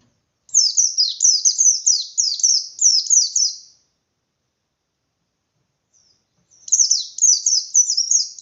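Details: Bustomi-type white-eye in forceful ngalas-style song, meant to rouse other white-eyes to answer and compete. A rapid run of high, downward-sweeping chirps lasts about three seconds, then silence, then another burst begins.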